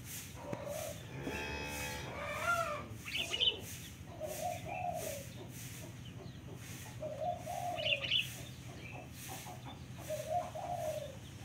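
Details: Local turtle dove giving soft, low coos at intervals amid background noise. A rough, rasping burst near the start and a few high chirps from another bird.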